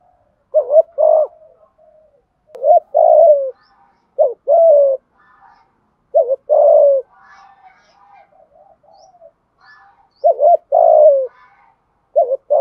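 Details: Spotted dove cooing in the 'thúc gù' style to provoke wild doves: repeated low two-part coos, a wavering lead note and a longer falling one, with faint higher chirps from other birds in the background.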